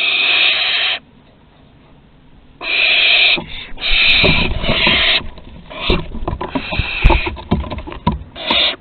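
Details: Juvenile barn owls mastering flight at Théding, France, September 2020: repeated rasping, hissing screeches of about a second each, separated by short pauses, with clicks, knocks and rustling in between.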